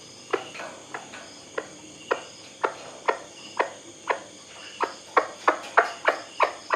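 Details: Calling white-breasted waterhen, from a recording intended for night playback to attract the birds: sharp, hollow knocking notes in an uneven series, spaced widely at first, then coming faster and louder toward the end.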